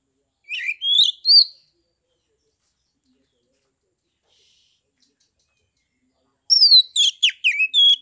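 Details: Caged Oriental magpie-robin from Kebumen, Central Java, Indonesia, singing to provoke rival magpie-robins: a short phrase of three rising whistles, a long pause, then a fast jumble of sharp chattering notes and slurred whistles, otherwise silent.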